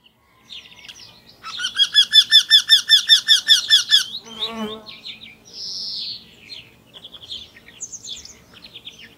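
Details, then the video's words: Eurasian wryneck in a garden: a loud run of about fifteen nasal, evenly spaced notes repeated rapidly over two and a half seconds, followed by a harsh burst and scattered softer chirps from other birds. "le torcol fourmilier au jardin"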